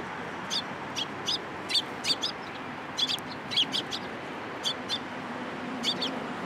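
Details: Several sparrows landing on a hand for food at a Tenmangu shrine, April 2023, give bright clipped chirps in a busy, uneven series, some doubled or tripled, against constant background hiss.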